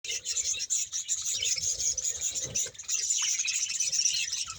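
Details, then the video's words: Colony of about 100 pairs of budgerigars in Bahawalpur, many birds calling at once in a dense, unbroken wall of high chirps, warbles and twittering, with faint low tones in the first three seconds. "bahawalpur budges sound"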